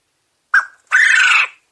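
A quail gives a short clipped note followed by a longer harsh, rasping crow, two parts in under two seconds. No other sounds are heard.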